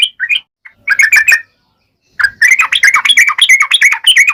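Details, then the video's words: Yellow-vented bulbul singing a sharp ngalas-style song, used to provoke other bulbuls to reply. A few short chirp groups are followed by a pause, then a steady run of quick, warbling, bubbly notes. "trucukan gacor NGALAS TAJAM ini AMPUH SEKALI JADIKAN burung trucuk gacor SEKETIKA NYAUT"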